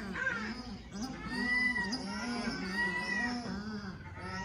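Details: Paradise shelduck giving a rapid series of reedy, nasal honks that rise and fall slightly, run closely together with little gap between them.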